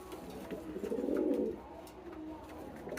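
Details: Young domestic pigeon, a squab now grown and becoming adult, calling heavily for about three minutes: a low, throaty coo that swells and fades within about a second.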